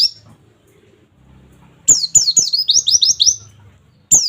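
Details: Training audio of an oriental white-eye singing 'nembak' wit wit wit: a low hum in the background, then one long run of about eight high, downslurred chirps and the start of another.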